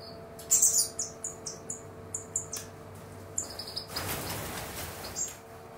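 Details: Quail finches in an aviary flush in alarm after freezing, one triggering others: a quick run of high, thin chirps, then a sudden whirring rush of wings as the flush spreads.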